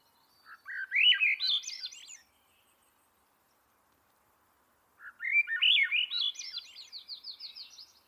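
Swainson's thrush sings two flute-like phrases, each spiraling upward from low breathy notes to thin high trills, with a few seconds of silence between.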